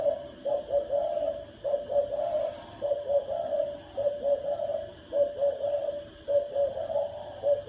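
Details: Spotted dove cooing in the thổ đồng style to provoke males and wild birds to fight: rhythmic groups of three or four hoarse coos, roughly one group per second, with occasional faint high chirps and a steady background hum.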